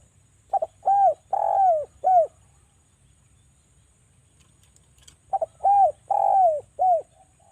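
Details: Javanese spotted dove lure call played to prompt doves to sing: two coo phrases, each opening with a quick double note followed by three rounded, falling coos, the middle one drawn out; low background hum.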